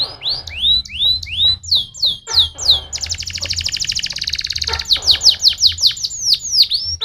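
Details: Canary singing, meant to stimulate singing in other canaries: loud, bright, rapidly repeated swooping whistles, a long fast rolling trill in the middle, then more descending slurred notes, over a faint low hum.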